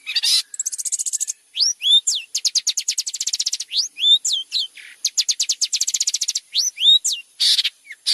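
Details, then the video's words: Long-tailed shrike in constant song, a tutor for white-rumped shama: long machine-gun runs of rapid buzzy pulses broken by rising whistled swoops and short harsh noisy bursts. "suara cerndet gacor cocok buat masteran murai batu"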